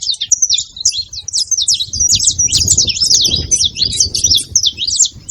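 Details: Free-living saffron finches gathered at a feeding spot, many birds chattering at once: dense overlapping high chirps and short trills, packed almost without pause, with a low rumble of background noise underneath.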